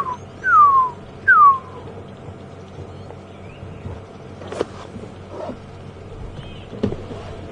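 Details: During an afternoon game drive at Djuma Game Reserve on 2 May 2015, a Pearl-spotted Owlet gives two clear, downslurred whistles less than a second apart, then faint small-bird calls over a low rumble, with impala also audible.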